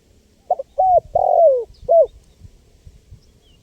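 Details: Spotted dove giving one full cooing phrase, played to attract wild birds. Two quick hollow notes lead to a long mellow coo that falls in pitch, then a single short closing coo. A faint low rumble sits underneath.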